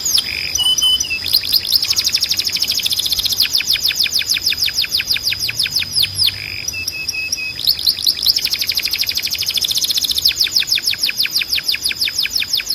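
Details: Timbrado canary training song: long runs of fast repeated curved notes forming rolling trills, broken twice by short flat whistled tones, with steady high-pitched background hiss throughout.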